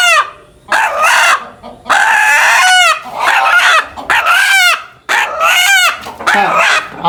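A chicken gives a series of loud, drawn-out, nasal calls that rise and fall, roughly one each second.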